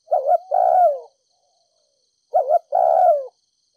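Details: Spotted dove from Ninh Thuận, a ground decoy bird cooing in the thúc gù style to rouse other doves. Two mellow phrases, each a short double note followed by a longer, falling coo, about two seconds apart, with no background noise.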